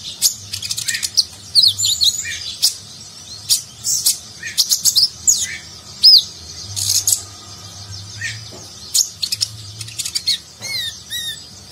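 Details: A sunbird (konin), recently wild-caught and used as a tutor for competition birds, sings a fast, high-pitched run of sharp chirps, thin trills and ticks, ending in a few bright looping whistles, with a faint low hum underneath.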